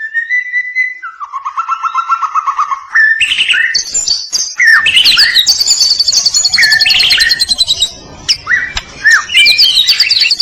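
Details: White-rumped shama, a singing murai batu of the Medan type, used as a master recording for training other birds; a long varied song of rapid repeated whistled notes, trills and sharp upsweeps, mostly high, delivered continuously and loudly.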